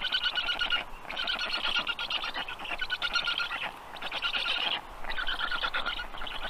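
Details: Harsh, buzzing chatter from young black storks comes in long rasping phrases broken by brief silences, with forest ambience underneath.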